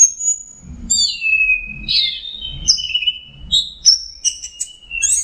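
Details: Punglor thrush on a songbird training recording of combined phrases: a long high whistle, a falling slur, then alternating high and lower whistled notes and short chips, with soft low rumbling throughout.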